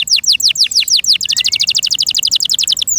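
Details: High, energetic singing from a pet canary. About seven descending whistled notes give way to a rapid, metronomic trill of bright chirps continuing to the end.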